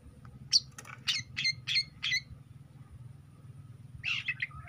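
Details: Juvenile long-tailed shrike singing a series of short, harsh, scratchy notes spaced roughly every third of a second, then a pause and a final rasping burst, with a low background rumble.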